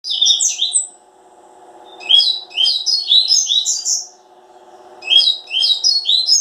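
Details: Double-collared seedeater singing two bursts of fast, bright, twittering notes, a short phrase then a longer one after a pause, over a steady low electrical hum.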